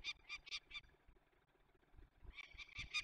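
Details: Young peregrine falcons being released in Poland's Barycz Valley, 27 May 2020: two short runs of harsh, ringing notes, a quiet gap between them, with faint low noise underneath.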